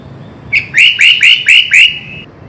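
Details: Sooty-headed bulbul giving a full isian song, a series of five bright, rising whistled notes in quick, even succession, each slurring upward, then a thin held tail on the last note.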